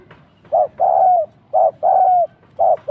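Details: Spotted dove used as a decoy bird during trapping, cooing in low, mellow phrases: a short hoot followed by a longer drawn-out coo that slides downward at the end, three such pairs in quick succession, background otherwise quiet.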